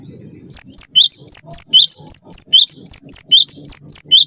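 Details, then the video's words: Cinereous tit master song for bird training: after faint low background, a continuous run of about fifteen high, clear, rising whistled notes repeated evenly several times per second. "master suara burung gelatik batu gacor"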